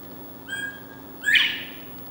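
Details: Northern bobwhite that has moved into a fenced back yard, giving its mating call, heard at 5 in the morning: a short soft whistled note, then a loud, sharply rising whistle, the two-part bob-white pattern heard once.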